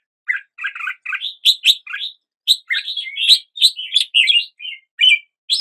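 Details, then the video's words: Red-whiskered bulbul song at daybreak: rapid sequences of clear, rising and falling whistled notes, each lasting a fraction of a second, in near-continuous chirpy phrases. "Red whiskered Bulbul Song"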